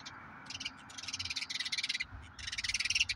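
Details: Common grackles, two brothers, raiding a backyard cache of walnuts left for blue jays, caught on a bird cam. Bursts of rapid, harsh, rasping pulses come in quick runs, broken by short pauses.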